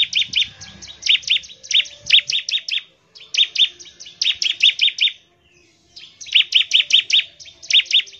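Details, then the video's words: Rapid-fire song of a bar-winged prinia, played to get other prinias singing quickly: fast runs of bright, high, clipped chirps in bursts of about five, with brief silent gaps between bursts. "CIBLEK GACOR, NEMBAK NGEBREN UNTUK MEMANGGIL CIBLEK CEPAT BUNYI GACOR"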